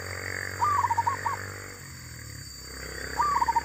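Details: Wild female zebra dove. A falling series of short, soft coos follows a longer opening note, with a second phrase starting near the end, over low steady background noise.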